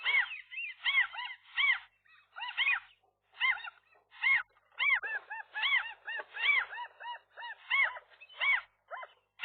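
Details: Gulls calling as a nesting couple fights off a single intruding gull in the morning near a rooftop nest, April 2023; loud arching harmonic yelps repeated rapidly in bursts, several birds overlapping.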